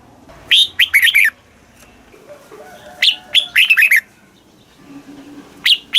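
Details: Thai red-whiskered bulbul, southern master-style song played to caged birds to make them lively and to teach young birds. Two full phrases of rapid, lilting whistles, then the start of a third, over a soft low hum.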